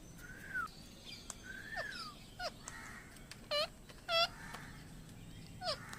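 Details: Parrot giving scattered harmonic squawks and arched whistled calls, some sliding down, a few louder rising calls near the middle, over a steady low background hum.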